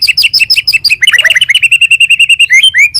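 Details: White-rumped shama singing in full voice in a morning lure recording: a fast series of high chirped double notes, then a brief jumbled twitter, and a long steady rapid trill of sharp repeated notes, ending with two upslurred whistles.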